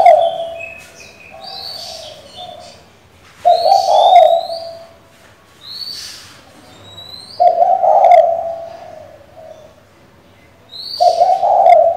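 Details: A female spotted dove calls for a male to stir up a decoy bird: three low, rough coo phrases about every four seconds, between quieter cooing, with sharp high chirps from other birds.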